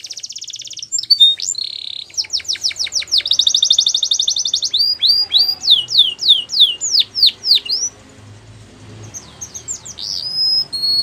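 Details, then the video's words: Canary in full song: a steady whistled tone, fast rolling trills, then a string of falling whistled slurs, fading into quiet with a few high notes and faint background hum. "Canary Singing Most Beautiful Song Bird"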